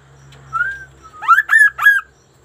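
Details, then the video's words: Sunda laughingthrush singing with unusual vigour: a mellow whistled note and a soft glide, followed by three strong upswept notes in quick, even succession over a faint low hum. "GACORNYA KASO-KASO INI BERBUNYI TAK BIASANYA"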